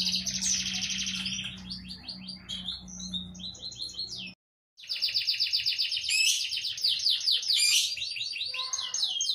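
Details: Canary in full-variety song, played as a tutor recording for young birds still developing their song: fast rolling trills and repeated high chirps, about four notes a second, a brief break midway, over a steady low electrical hum.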